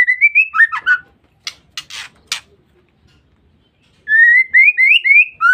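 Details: A female white-rumped shama's provoking call, used to lure males. It opens with rising whistled notes. Four rough, noisy rasps follow, then a near-silent gap and a fresh string of clear upward-sliding whistles.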